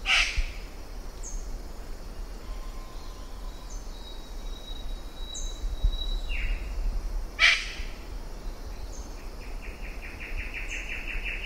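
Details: Western Parotia, a bird of paradise from Papua, scolding: two loud, harsh, rasping bursts about seven seconds apart, with thin high twittering of a leaf warbler and other whistled bird notes behind a steady low background hum.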